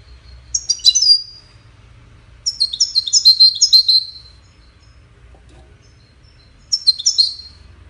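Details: Goldfinch singing for courtship and communication: three phrases of rapid, sparkling, twittered notes with pauses between them, the longest phrase running for over a second.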